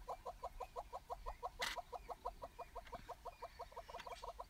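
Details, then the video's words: Courting Southern yellow-billed hornbills, wet after rain and bowing together on a bare branch in southern Africa, deliver regular, paired clucking notes at a brisk steady pace; one sharp click breaks in partway. "A courting, clucking, bowing pair of wet Yellow-billed Hornbills"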